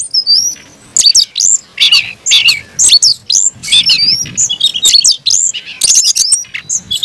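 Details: Kept Oriental magpie-robin (kacer) singing aggressively as if fighting: high slurred whistles opening, then dense bursts of sharp chattering notes and rising-falling sweeps with brief pauses.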